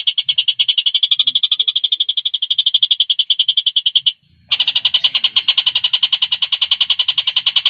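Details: Javan cochoa in energetic song for training competition birds: a long, fast, steady high trill lasting about four seconds, a short break, then a louder, denser trill continuing to the end, with faint low background rumble.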